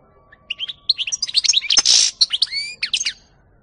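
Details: European goldfinch song from 2018: bright twittering notes and upslurred whistles rattled off rapidly, broken by a harsh buzzy rasp in the middle, lasting around three seconds.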